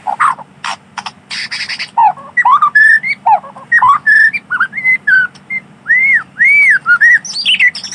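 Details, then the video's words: White-rumped shama singing in wild forest: a varied string of clear whistled notes, some arching and some rising, mixed with short buzzy bursts early on, phrases delivered in quick succession over steady low background hum. "Suara asli alam burung Murai Batu"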